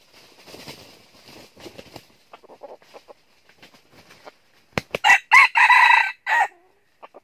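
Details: At a trap in northern Vietnam, a red junglefowl decoy makes soft rustling and clucking notes, then a loud, full crow near the end. A few clicks follow it. The decoy is luring wild birds.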